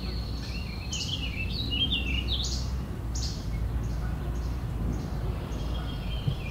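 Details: Several wild red-winged blackbirds having an argument: a busy run of buzzy, chattering mid-to-high notes and short rising chirps tumbling over one another, set against a steady low rumble of background noise.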